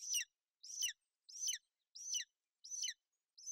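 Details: Golden eagles on a nest in Bucovina, a female sheltering her chick from inclement weather on 28 May 2021; high, thin descending chirped notes repeated about every 0.6 seconds, six in a row, with no other sounds.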